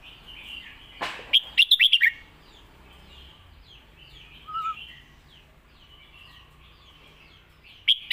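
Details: Red-whiskered bulbul in lak wai style master song: a brief rustle, then a quick string of bright warbled notes, a long quiet stretch with faint twitters and a soft note, then another short burst at the end.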